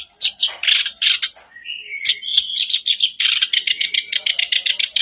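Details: Lure song of a black-browed reed warbler for a caged bird: harsh chattering, a brief whistled slur, then a long string of fast, regularly repeated grating notes.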